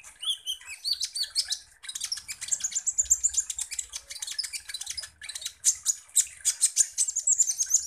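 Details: Van Hasselt's sunbird (kolibri ninja) singing, used as a lure to provoke and excite other songbirds: a dense, continuous stream of very high, sharp twittering chirps and thin trills, with brief pauses near two and five seconds.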